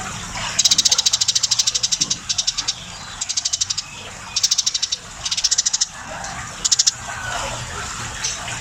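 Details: Eurasian tree sparrow, described as very tame and in full voice, giving trains of fast, sharp ticking chirps in five or six bursts, the longest near the start, with faint low rumbling behind.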